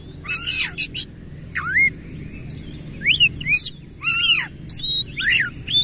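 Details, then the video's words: Oriental magpie-robin in energetic 'gacor' song, tail fully open: harsh buzzy bursts alternating with sharply rising whistled slurs, repeated in short groups with brief pauses between. "KACER GACOR NEMBAK NGEROL FULL BUKA EKOR"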